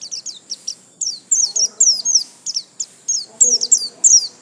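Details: White-eye in continuous 'gacor lasroll' song: fast, high, falling chirps and doubled whistles in an almost unbroken stream, with faint low murmuring in the background.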